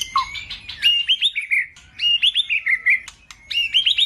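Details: White-rumped shama lure song meant to excite a male into singing and raise his breeding urge: rapid varied phrases of bright whistled, up-slurred notes mixed with buzzy chirps, repeated in bursts with brief gaps.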